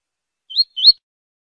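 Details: Double-collared seedeater in Tui Tui style, a song used for teaching captive birds and chicks: a pair of clear rising whistled slurs, the second stronger. Silent background.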